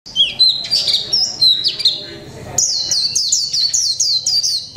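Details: Caged white-eye of the mộc tinh type, one month in the cage, singing a 'líu pha chòe trống' style song: rapid high sliding whistles and chips, ending in a quick run of repeated downward-flicking notes.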